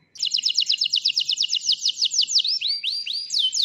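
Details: White canary in full song, meant to coax silent canaries and teach shama and green leafbird: a long, fast pulsing trill slowly dropping in pitch, then a few separate rising whistled notes near the end.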